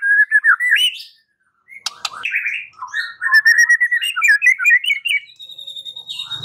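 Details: White-rumped shama song serving as a lure to make a bird respond: rising whistles, a short silence, then long runs of quick repeated chirping notes and a high steady tone.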